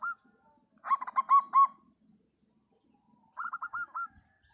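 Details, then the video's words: Local zebra dove calling strongly: a clipped note, then four loud ringing coos, a pause, and a quicker rolling series of six softer coos at the same pitch, over faint low murmurs. "perkutut lokal gacor suara lantang"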